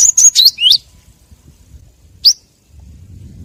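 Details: Bird-catching lure of a great tit (gelatik batu): a quick phrase of thin, high, rising notes followed by a single sharp chirp after a pause.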